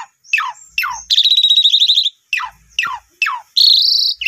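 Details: Lure song of the Asian pied starling, meant to get a newly bought bird that has stopped singing to answer. Descending whistled swoops alternate with a long, pulsing buzzy trill and a rising, rasping phrase.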